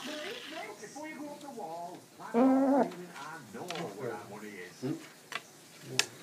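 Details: Pet macaw chatting and dancing. It gives speech-like babble with stacked harmonic syllables, peaking in a loud, drawn-out nasal phrase midway. Soft clicks and taps follow.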